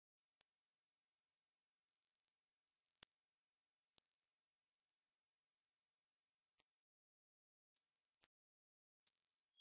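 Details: Bohemian waxwing giving very high, thin trilled notes, mostly in pairs and separated by short gaps, followed by two buzzier bursts near the end. No other sounds.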